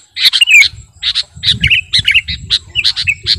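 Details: Kutilang garuda sooty-headed bulbul giving busy song used to lure birds and as a master; sharp chirps mixed with rolling, wavering whistles in quick succession, faint low rumble behind.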